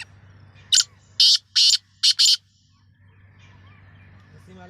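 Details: Black francolin, known locally as kala teetar and the Sindhi nassal teetar, on the season's first try: five loud, harsh, rasping bursts in quick succession, two of them closely paired, over a low steady hum.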